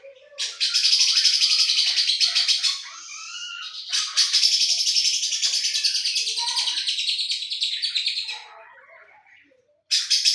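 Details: Lovebird in a style locally called isian Cililin Jenggot Mesin Jahit: two long bursts of dense, rapid, high chattering trills lasting about three and four seconds, separated by a pause with softer twitters, then a third burst beginning at the end.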